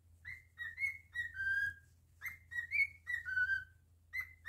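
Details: Cockatiel at home repeating its whistled melody, rising bright notes followed by a drawn-out falling whistle, three phrases with short pauses, low hum and slight room noise underneath.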